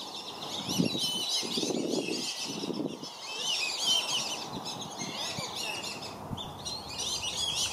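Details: Black-bellied whistling ducks at Circle B Bar Reserve, Lakeland, Florida, where parents defend five young from dozens of intruding ducks: dense, overlapping chorus of thin, high whistles, with low thumps and splashy bursts in the first seconds.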